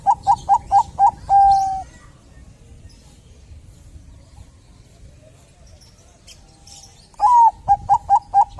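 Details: Chatty Bangkok zebra dove, song used to trigger other doves to call: a fast burst of five short, even coos and a drawn-out note, several seconds of near silence, then another quick run of clipped coos.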